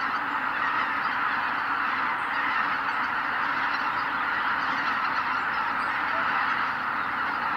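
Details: Greater white-fronted geese streaming off their roost as the sun rises at Kabukuri-numa marsh, Japan, recorded with a ZV-E10 camera and ECM-B10 microphone; thick, sustained honking chorus over a ground-rumble of wings, scattered higher notes.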